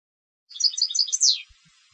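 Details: Competition European goldfinch giving a short phrase: quick high twittering notes ending in a brief downward-sweeping buzzy note, in a quiet setting.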